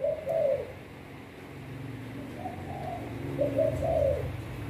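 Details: Spotted dove kept as a decoy bird for trapping, giving soft, low coos in a few short phrases, separated by pauses of about a second, over steady low background hum.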